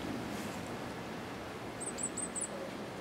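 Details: Cuban grassquit giving the hammer and bell song type: four or five high, ringing, clipped notes near the end, rising slightly, over steady rushing background noise.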